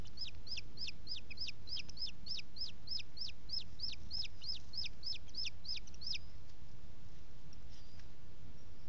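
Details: Booted eagle at a nest in Els Ports Natural Park, on a hot afternoon, 15 June 2017 at 14:33, with the female shading the nest holding two chicks. A rapid series of about twenty sharp, down-slurred whistled notes, then steady background hiss.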